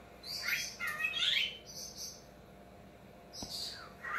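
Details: Male pet talking cockatiel indoors, watching himself on screen for the first time: a few bright chirps and short squeaky notes in quick succession, then a pause and a brief high call, over faint room hum.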